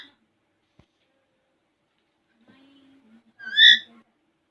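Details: A pet Alexandrine parakeet, a playful talker, talks in front of a mirror: a low murmur, then one loud, harsh, rising syllable near the end, like a short spoken word.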